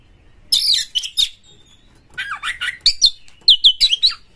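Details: A singing Oriental magpie-robin playing to prompt others: a scratchy burst, a thin drawn-out whistle, then swooping notes and a quick run of bright whistled phrases.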